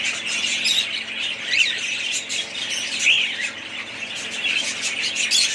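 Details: Budgerigars in a family group keep up a constant twittering chatter, mixing buzzy warbles with a few sharper whistled chirps that rise and fall.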